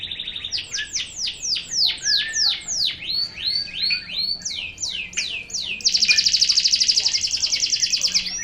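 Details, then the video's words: Local pure-bred canary singing a sharp song: a series of high, downward-sweeping whistled notes repeated about three per second, shifting through varied phrases, ending in a fast high buzzy trill. "Suara kenari lokal 44 detik 2kali tembakan."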